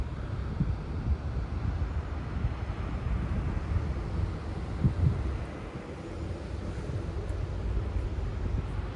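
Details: Deep, gusty wind rumble buffets the microphone throughout, rising and falling, with no animal sounds.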